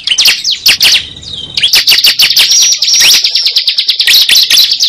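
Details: Cible bird sound for lure trapping: bursts of high chirps and thin whistled notes, a short quieter pause, then dense, continuous chattering.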